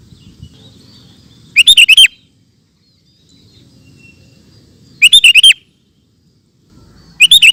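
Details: Sooty-headed bulbul singing ropel, described as super gacor: loud rapid bursts of five bubbly whistled notes repeated about every three seconds, separated by quiet spells with soft low rumble.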